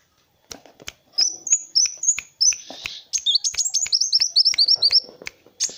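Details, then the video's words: Lively kolibri wulung sunbird song for training other songbirds: rapid series of high, sharp, down-slurred whistles, accelerating into a fast chattering run of about three notes per second, with sharp clicks throughout. "SUARA BURUNG MASTERAN Kowul (Kolibri Wulung) GACOR"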